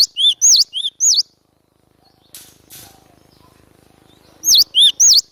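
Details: Energetic lure song of a cinereous tit, glatik batu: brisk pairs of high upslurred whistles and lower rounded notes, three pairs, then a pause with faint rustling, and the phrase starting again.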